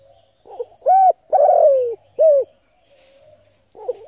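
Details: Spotted dove calling to stimulate decoy birds: a muffled lead-in note, a round hoot, a long descending coo and a short arched hoot, followed by a pause and the start of another phrase; a thin steady whine persists.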